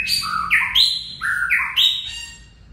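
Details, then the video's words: White-rumped shama singing: loud, clear whistled notes that jump between low and high pitches, with rich overtones, in two similar phrases about a second apart, over a quiet background. "Chích choè lửa hót líu lo"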